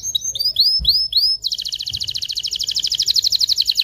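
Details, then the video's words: Canary song to excite females and prepare males for mating: rising curved whistles repeated about three times a second, then a fast, loud, rolling buzzy trill. "تغريد طائر الكناري هائج , لتجهيز الاناث و الذكور للتزاوج والغناء"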